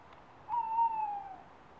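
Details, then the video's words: A male tawny owl calling to his mate gives a single long, hollow hoot of almost a second that sags slightly in pitch at the end, over a quiet background. "Tawny owl calling to his mate"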